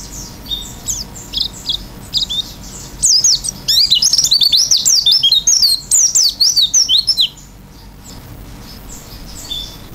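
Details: Oriental white-eye in lively song, open-beaked: a rapid run of high thin whistled notes and twittering trills at about 3 to 7 seconds, softer scattered chirps before and after.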